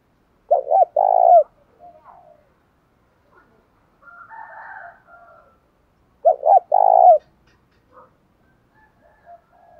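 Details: Spotted dove call aimed at rousing decoys to fight. Two low cooing phrases, each with double hoots and a long falling note, come about six seconds apart, with soft, scattered higher bird sounds between them.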